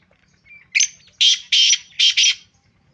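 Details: Sindhi black francolin, described as purebred, calling with five loud, harsh, buzzy bursts. A short thin note leads off, and the bursts run close together in under two seconds.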